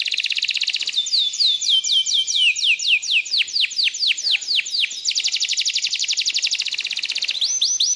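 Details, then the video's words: Canary song built from a string of fast, sweeping downward whistles, about four each second, followed by a rapid, even trill and a brief return to quick descending notes. "تغريد كناري"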